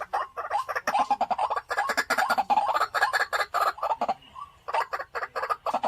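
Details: Caged white-breasted waterhen kept as a home decoy bird: harsh, croaking notes repeat quickly in dense runs. They break off briefly near the four-second mark and then resume.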